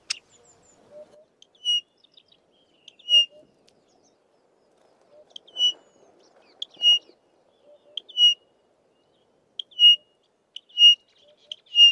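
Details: Pririt batis on a southern Karoo farm delivering a steady run of pure, high whistled notes, spaced about a second or more apart, with a few soft lower chirps between them and little other sound.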